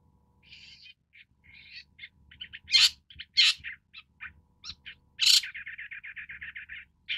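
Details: Long-tailed Shrike, also called Great Red-backed Shrike, giving a varied run of short chirps and scratchy notes. Three loud, harsh, buzzy bursts break in, and the series ends with a rapid, even string of about a dozen clipped notes.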